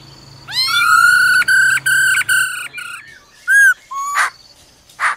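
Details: Female laughingthrush gives a "ro ro" call to excite a male: a long rich harmonic note, broken into pulses, then a few short upslurred whistles and two harsh rasping bursts.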